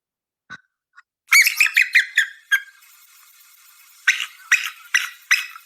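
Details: A bald eagle (Haliaeetus leucocephalus) gives two bursts of thin, high, squeaky chittering notes, each run falling slightly, over a faint steady hiss.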